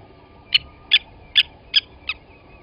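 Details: Blacksmith lapwing at Gowrie dam, Sabi Sand, South Africa, 07:47 on 29 August 2020, while an adult seized and killed a chick at the nest. Five quieter, spaced metallic tinks, a little under half a second apart.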